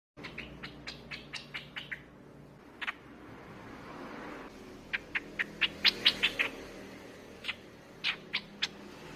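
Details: Streak-eared bulbul sound used as a lure: a run of sharp, short chirps repeated quickly at first, then a pause, then a second looser series of bright clipped notes, over a low steady background hum.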